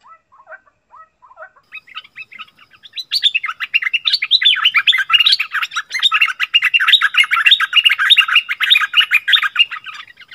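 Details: Wild striated bulbuls in a fierce argument: a few soft, separate chirps give way to a loud, dense run of rapid, buzzy, warbled notes repeated about four times a second, with no other clear sounds.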